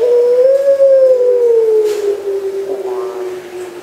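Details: Puter pelung Barbary dove, 3 March 2020, delivering one long pure coo that rises a little early on and then slowly glides lower over nearly four seconds, fading at the end.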